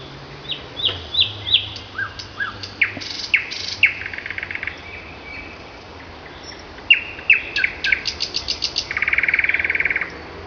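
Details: Morning song of a common nightingale in May: varied phrases of descending whistled slurs, rapid clicking trills, and a closing harsh, buzzy rattle, with quiet pauses between phrases.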